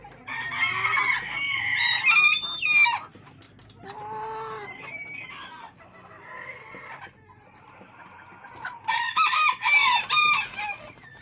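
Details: Silver Sebright hens on a fancy poultry farm in Pakistan, 11 February 2023, give loud, harsh, strained squawks and clucks in bursts, with a fainter nasal cackle in between.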